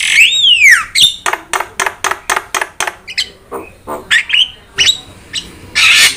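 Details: Myna singing for bird training: opens with a clear whistled note swooping up then down, followed by a series of harsh clipped notes repeated about four per second, ending with a few short whistles and a hoarse burst.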